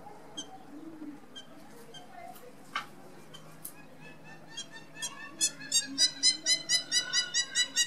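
A Hamerkop gives scattered sharp notes that build into a loud, rapid series of nasal yips, about four a second, like excited laughter, over a low background hum.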